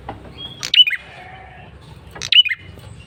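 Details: Two sharp, high chirping bursts with twisted endings from a male red-headed prinia used as a lure call, separated by a pause of about 1.5 seconds with faint thin whistling and a low hum.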